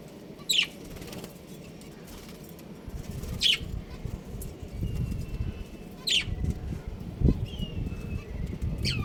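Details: Budgerigars of a breeding pair give brief high chirps about every three seconds, each a quick bright note, with steady low background rumble throughout.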